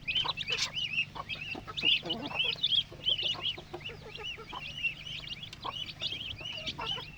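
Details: Chicken chicks peeping continuously, many high, arched, shrill cheeps overlapping in a busy chorus, several per second throughout, over a low steady hum.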